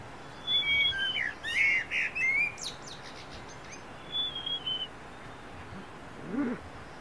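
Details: Wild niltava singing at first light of dawn in forest wilderness: short, thin whistled phrases with quick rising and falling slurs, delivered in bursts across the first few seconds, then a softer pair of whistled notes, over quiet background hiss.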